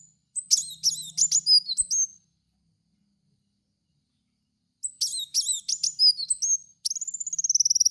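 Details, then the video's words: Kolibri wulung song used to lure and train cage birds: two fast, high-pitched twittering phrases of jumbled chirps, then a rapid, even trill at the end. "pancingan suara burung kowul"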